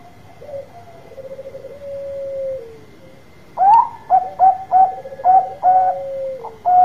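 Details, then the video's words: Bangkok zebra dove singing with a loud voice to coax other doves to answer: a low purring roll, then a rising opening note and a steady run of punchy, clipped coos with a falling trill mixed in. "Perkutut Bangkok Gacor Suara Besar Tepat Buat Pancingan Cepat Nyaut"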